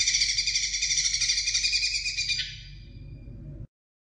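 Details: Greater green leafbird song played to stimulate young birds: a dense, rapid buzzy chatter of high notes for over two seconds, then fading to a faint trailing twitter before stopping, over low background hum.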